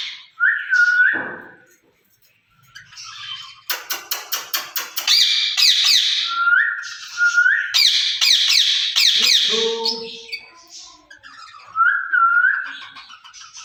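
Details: Ringneck parrots kept in a cage, two birds speaking to each other in Urdu or Hindi. Rising whistles frame long runs of rapid harsh screeches, with a brief low voice-like murmur.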